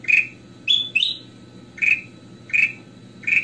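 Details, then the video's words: Goldfinch (kutilang emas) singing, a recording used for training and luring other birds: short clear whistled notes, some rising, given about every half second to second, with a low steady hum underneath. "KUTILANG EMAS / GOLD FINCHES - SUARA KRISTAL BENING FULL ISIAN"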